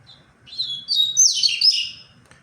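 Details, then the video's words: Double-collared seedeater of the tui-tui song style, recorded on 23 February, giving one song phrase: a thin high whistle, then a bright buzzy run of tumbling slurred notes over a faint low hum. "LINDO O CANTO DO COLEIRO"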